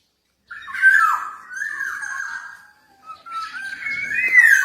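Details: Javan black-naped oriole in full song: a drawn-out mellow whistled phrase that wavers and falls, a short pause, then a rising, slightly rougher fluted phrase with a bright peak near the end.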